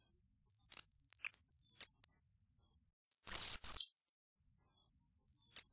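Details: Cedar waxwing giving a string of high, thin, hissing whistles, several short ones followed by a longer, louder, buzzier drawn-out note, then a single note after a pause, in a quiet setting.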